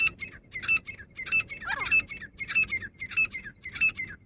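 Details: A female grey francolin gives sharp, high, ringing notes about every 0.6 seconds in a steady, insistent series, with faint background noise.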